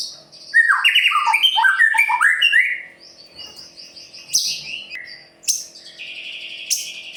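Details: White-rumped shama in the Murai Pastol style, singing in full voice to provoke other birds into singing: a fast run of rich rising and falling whistles and trills, then quieter high phrases and sharp bright notes toward the end.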